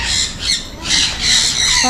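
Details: Salmon-crested cockatoo at Jurong Bird Park, Singapore, on February 14, giving harsh, broadband screeching squawks in two or three loud bursts, with faint human voices nearby.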